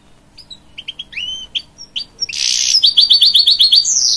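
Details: Hybrid goldfinch of canary and goldfinch parentage singing to encourage young chicks: separate chirps and whistled slurs, then a loud buzzy rush and a rapid, evenly spaced trill of sharp notes.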